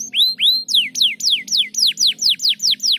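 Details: Canary song meant to get lazy canaries singing: two rising whistled notes followed by a steady run of sharp, descending swept chirps, about four per second, bright and high-pitched.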